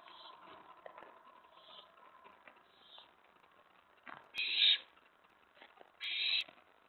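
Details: Prey delivery at an owl nest at night, May 15, 2017: soft faint rasps open, then two loud, grating hiss-screeches about a second and a half apart dominate the end.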